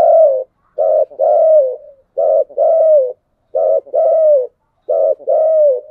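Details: Spotted dove cooing in the 'giọng đồng' voice style. Five phrases come about every 1.3 seconds, each a short burry double note followed by a longer, mellow, slightly falling coo. The background is clean and quiet.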